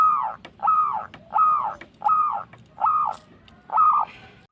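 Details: Perkutut, the local zebra dove, singing a lure song meant to set other birds singing: six arched, ringing coo notes of steady pitch, spaced about every seventh of a second apart in a slow regular rhythm.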